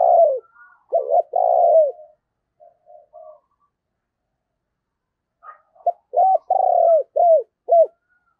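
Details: Spotted dove decoy bird calling to lure wild doves: low, mellow cooing phrases with short notes and a drawn-out, falling final coo, in two bursts separated by a near-silent pause.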